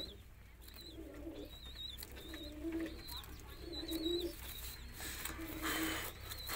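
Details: Roller pigeons cooing: low, soft, rolling coos repeated roughly once a second, with thin high whistled notes running above them and a steady low hum beneath.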